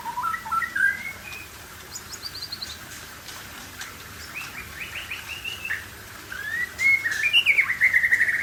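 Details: Aceh white-rumped shama delivering mixed whistled phrases, rising notes, a high buzzy run and a bright, warbling close, over steady background hiss.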